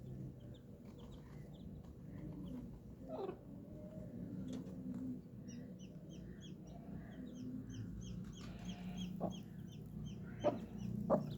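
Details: Colourful baby chickens give a steady run of short, high, downslurred peeps that build up after a few quiet seconds and repeat quickly, with a low background hum and occasional knocks.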